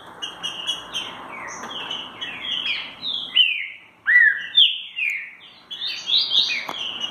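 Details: Green-winged saltator performing "mansarrão" song: clear whistled notes, some sharply rising then falling, strung in lively phrases with brief pauses between bursts, with a low hum underneath.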